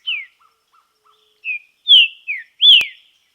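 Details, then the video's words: Green-winged saltator singing during song training in nature: a few faint short notes, then loud clear whistled phrases that slur downward, ending with a strong rising-then-falling whistle. "TRINCA FERRO TREINAMENTO NA NATUREZA"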